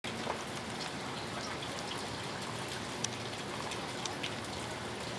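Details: Steady rain patters on a surface with occasional louder drips, and no calls are heard.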